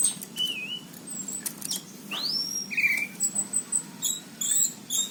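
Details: Orange-headed thrush from Cirebon, recorded in 2019, singing vigorously: a wavering whistle, then a sweeping upward-and-down slurred note, followed by a string of short, very high repeated chips.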